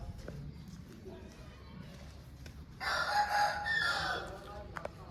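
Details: A single loud, raspy crow from a home-bred Aseel rooster, rising out of quiet low murmur and holding for about a second and a half before trailing off, followed by a click.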